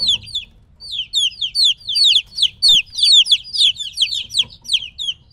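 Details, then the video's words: Chicken chicks around three weeks of age, separated from the mother hen, peep loudly; piercing downward-slurred notes repeat fast and overlap, with one faint click partway through. "2 HOUR OF LITTLE CHICKENS CHIRPING NOISE"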